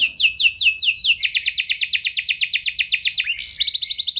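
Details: Canary song to stimulate other canaries into rolling song: several slow high downslurs, then a fast even trill of bright notes, a brief dip and rising sweep, and a final quick trill.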